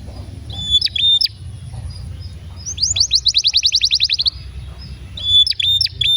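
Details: Canary (Serinus canaria) sings sharp high chirps, then a fast rolling trill of about fifteen rapid notes, then more bright chirps over a low hum; a long song played to prompt canaries to sing, tutor young canaries and restart ones that have stopped singing.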